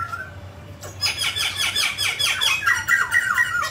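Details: Mutant grey laughingthrush singing with a dance: a faint whistle, then a brisk series of harsh, buzzy downslurred notes repeated about twice a second, giving way to clearer falling whistles.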